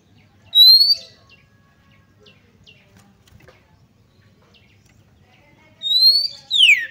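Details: Female Oriental magpie-robin call, used to provoke males into agitation and tail spreading: a bright rising whistle, then after a pause two more loud notes, one rising and one sweeping sharply down, over faint background noise.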